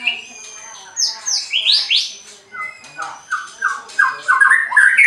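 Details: White-rumped shama kept at a bird farm in Anyer, Banten, Indonesia, singing to make rivals react: sharp rising sweeps and squeaky notes building into fast, varied whistled phrases that climb toward the end.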